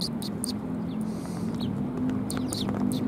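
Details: On 18 December 2020 at a Tenmangu shrine, sparrows coming for handouts make quick, clipped chirps scattered across the clip, mixed with a steady droning hum.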